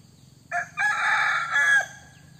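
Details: Decoy rooster with white ear lobes crowing once: a short opening note, a brief break, then a long sustained strained crow that ends in a slight upward flourish, over a quiet low hum.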